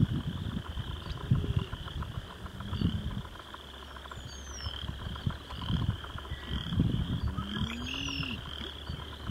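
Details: A bittern in a wetland gives deep, hollow, low booms in short bursts a few seconds apart, over a steady high insect hum and a few faint bird chirps.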